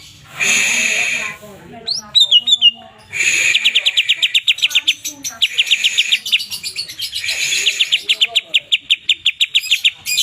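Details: Twelve greater green leafbirds in chatty, full song: a harsh buzzy burst, then falling whistled slurs, then long runs of rapid staccato high notes repeated steadily, several runs across ten seconds.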